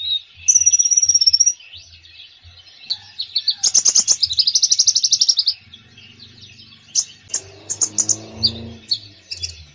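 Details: Konin bird singing a varied full song to encourage a reluctant konin: a steady high whistle, then a long rapid trill of repeated notes, followed by separate bright chirps.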